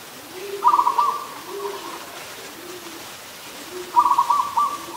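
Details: Adult zebra dove in Ubon Ratchathani, Thailand, 24 December 2020, giving two rapid, pulsing coo bursts about three seconds apart, while lower, softer, repeated cooing notes from another bird sound underneath.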